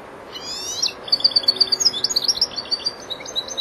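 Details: Four-month-old European goldfinch starting to finish song phrases, opening with a buzzy double note and continuing with an uneven string of bright, rapid tinkling chips.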